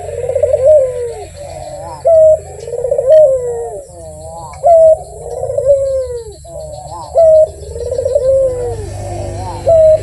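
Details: Barbary dove (puter) calling persistently: a steady series of rolling, mid-pitched coos, each opened by a short clear upper note and ending in a falling purr, repeated about every two and a half seconds against a low hum.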